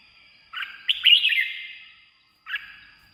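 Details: Red-whiskered bulbul singing, a recording meant to excite caged birds or draw in wild ones: one lively warbled phrase of rising and falling whistles, then a lone brief note after a short silence, with a clean quiet background.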